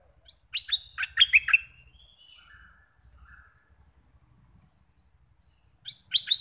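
A bulbul gives bright, bubbling phrases of quick chirping notes in two loud bursts, with softer warbled fragments between them.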